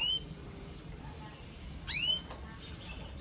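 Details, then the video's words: Red mosaic agate canary: two bright chirps that drop sharply in pitch, one more note clipped at each edge, over a steady indoor hiss. "CANARIO CANTANDO - Powerful song of Red Mosaic Agate Canary"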